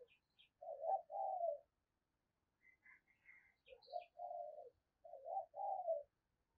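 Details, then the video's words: Spotted dove kept as a lure to attract wild doves, repeating low two-part coos, a quiet pause with soft higher chirps, then two more coo phrases. "cu gáy mồi cây thúc gù bài bản"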